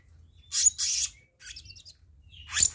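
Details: Black-naped monarch lure recording: two rasping buzzy bursts, then a scratchy twittering phrase, ending with a sharp rising squeal.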